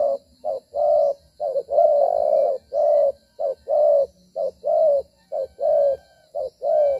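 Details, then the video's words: Trapping decoy spotted dove coos while moving and fighting; rapid, loud series of low hollow coos in short-long pairs, nearly continuous across the stretch, with a faint steady high hiss behind. "Bổi có nết đấu duy chuyển kèm gù quá hay"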